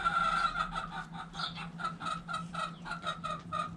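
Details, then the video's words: Backyard hens clucking while playing and dust bathing in the dirt: a run of rapid, nasal, stacked clucks, roughly four per second, unevenly spaced, with a low steady hum underneath. "Chicken Noise Sound Roosters Crowing Hens Clucking!"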